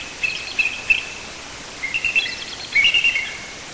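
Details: Bald eagles nesting 70 feet up in a white pine on the ocean coast of Hancock County, Maine; three bursts of high, thin chirping notes run in short series over a steady hiss.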